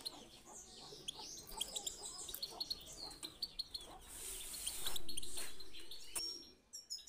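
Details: European goldfinch 'chi chiu' style song for getting birds into singing mood: high twittering notes and chips for the first few seconds, then drowned by a loud hissing rush before brief notes return.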